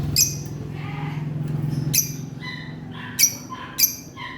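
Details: Morning calls of pet lovebirds: piercing, shrill squawks spaced about a second apart, with softer chattering notes between, over a steady low indoor hum.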